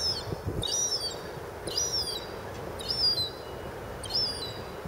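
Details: A young seabird calls again and again while no one comes: high, thin, whistled notes that rise then fall, repeated about once a second, five calls in all, with a soft low background hiss.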